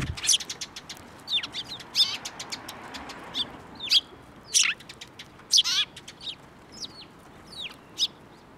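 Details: Several sparrows flying onto an outstretched hand for food at a Tenmangu shrine, 15 March 2024; short sharp high chirps repeat steadily, some louder and overlapping, with a few faint downslurred notes.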